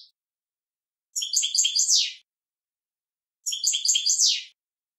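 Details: Male European goldfinch teaching a young goldfinch with two short, identical twittering phrases of tinkling notes and a final buzzy swoop, separated by about two seconds of silence.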